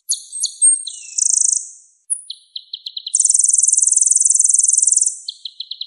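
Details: Sunbird song used as songbird training audio: high thin whistled notes, a brief fast trill, a few lower staccato chips, then a sustained rapid high-pitched trill and more short chips.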